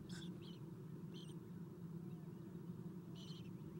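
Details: Owlets of an Eastern Screech-Owl being fed in a nest box on an April morning: three brief scratchy hissing bursts, spaced about a second or more apart, over a constant low rumbling background.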